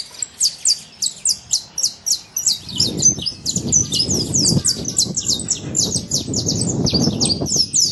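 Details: Wild saffron finch in natural surroundings giving a steady stream of high slurred chirps, evenly spaced at first, while low rumbling noise rises from about three seconds on.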